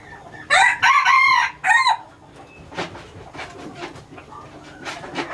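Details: A captive hybrid red junglefowl rooster, a purebred Laos-line breeder, gives a strident crow in three harsh pulses over about 1.5 seconds, followed by quieter clicking and background noise.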